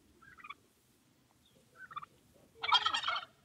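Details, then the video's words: Turkey calling: two short clucking yelps, then a loud rattling gobble burst lasting about half a second, over a low background murmur. "What does a Turkey sound like?"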